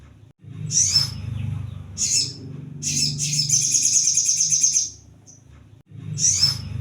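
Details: Brown-throated sunbird song used as a lure for wild-caught birds: high, thin twittering bursts, then a long dense buzzy trill near the middle and a final short burst, over a steady low hum.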